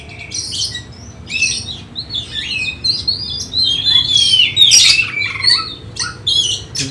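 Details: Contest-training oriental magpie-robin singing a lively sequence of short whistles, chirps and sliding notes, growing louder midway with a bright rising whistle, interspersed with scratchy bursts.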